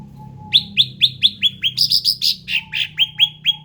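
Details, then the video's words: {'caption': 'Endemic ruby-throated bulbul delivering a rapid, even series of about fourteen chirped notes: falling whistles, then higher warbled notes, then falling whistles again, roughly four per second.'} "SUARA ASLI CUCAK RANTING"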